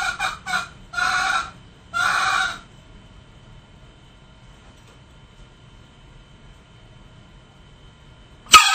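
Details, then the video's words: Male junglefowl recorded for luring, with several harsh, noisy call bursts in the first two and a half seconds, two of them longer and sustained, then near silence with a faint background hum until one abrupt final burst. "Suara Ayam Hutan jantan"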